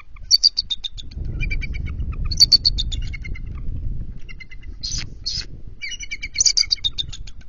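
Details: Bald eagles at an NCTC nest during a post-midnight incubation switch on 21 February 2023, both adults alert after chasing intruders; repeated sharp, high chattering phrases with a few harsher squeals, plus soft low rustling.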